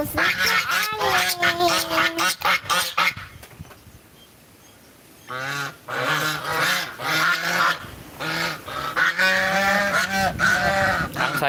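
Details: Domestic geese, not yet fed and searching for food on a windy day, honk in loud, nasal bursts, several calling over one another in quick ragged runs, with a brief quiet gap and a child's voice nearby.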